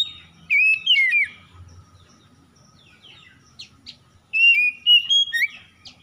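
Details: Oriental magpie-robin, morning-dew lure recording aimed at restoring singing in stressed birds: a couple of bright whistled slurs, a quiet gap with faint chips, then a final string of clear level and rising whistles.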